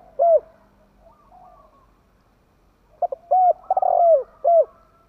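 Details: Spotted dove, a caged decoy bird kept by Vietnamese fanciers, giving a fast coo phrase: short cooing notes, a pause, then a burst of rolling coos ending in a downslurred note, all low and mellow.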